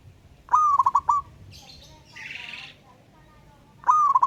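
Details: Local wild-type zebra dove calling out a rival in ngayer fashion, giving two cooing phrases about three seconds apart, each a held note ending in rapid stuttering coos, with a soft hiss between them.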